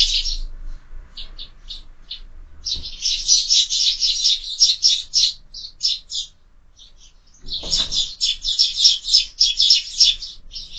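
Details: Sparrows at a feeder mounted on a window in the morning, chattering in loud rapid runs of chirps, a pause, then another dense burst, with a dull knock in between.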